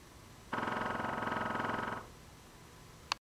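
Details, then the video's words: Woodpecker drumming as a morning wake-up call: one rapid, even roll of knocks, about fifteen strikes per second, lasting roughly one and a half seconds, then quiet with a single sharp click at the end. "Woodpecker Wakup Call"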